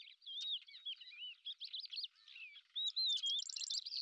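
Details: In Azerbaijan, a lesser grey shrike gives a jumbled warble of looping whistles and scratchy notes, ending in a burst of fast, evenly repeated high ticks.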